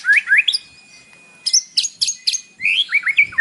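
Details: White-rumped shama song in the morning, played to provoke a captive bird into singing: rich whistled phrases, rising slurred notes, sharp bright chips and a thin sustained whistle, with faint low background rustling.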